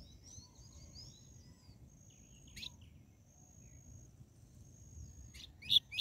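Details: Double-collared seedeater 'tui tui zel zel' song, used to fire up and train caged birds: thin, high drawn-out whistles with a few sharp, bright notes near the start and end, faint over a low background rumble.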